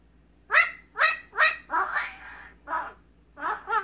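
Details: A talking pet magpie, imprinted on the family that rescued it, gives a fast string of harsh, chattering syllables, three clipped notes followed by a drawn-out grating sound and more rasping notes.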